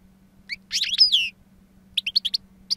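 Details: European goldfinch, a two-year-old bird with a wild-style song, powerful timbre and long calls, giving a short liquid trill and slurred whistle, then a string of quick bright chips after a pause.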